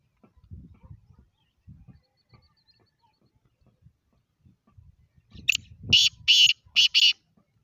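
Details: Black francolin giving a rasping, buzzy phrase of about four strident notes near the end, after several seconds of soft low rustling and murmuring.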